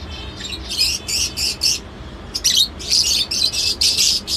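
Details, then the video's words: Lovebird screeching loudly in harsh, high, buzzy bursts repeated several times a second, with a brief lull midway before the calls resume. "love bird sounds"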